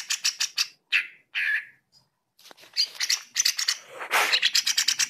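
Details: Greater green leafbird singing energetically, kept as a reference for training other birds: rapid bursts of bright chattering notes, some harsh buzzy phrases, then fast repeated chips.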